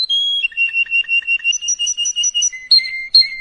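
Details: Canary song meant for tutoring young canaries, in quick tours: a clear whistled note, then a fast repeated trill alternating with lower pips, and sliding falling whistles; no other sounds.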